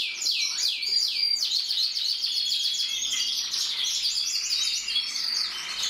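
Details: Multiple canaries in song, opening with rolling descending whistled notes, then a continuous shimmering blend of high trills and chirps.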